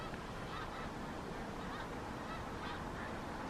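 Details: A large flock of snow geese on Oberly Road, Alpha, New Jersey, USA, 6 February 2026, keeps up a dense, continuous chorus of overlapping nasal honks and yelps with no pauses.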